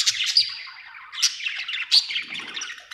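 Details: Happy budgie chirping in quick, bright bursts, with squeaky high notes and scratchy chatter between three louder sharp peaks.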